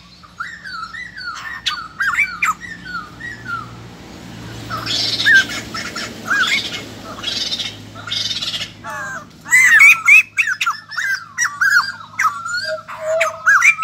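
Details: White-crested laughingthrush, a fresh wild-caught cage bird valued for its song, utters rapid harsh squawks and chattering cackles, with a patch of hissing background noise midway before loud calls resume.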